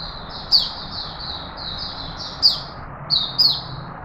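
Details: A kept straw-headed bulbul in Singapore, 11 Sep 2020, singing in a relaxed way that asserts its presence, gives loud, sharp, high chirps with quick downward sweeps, a few notes spaced irregularly over several seconds, above a faint low hum.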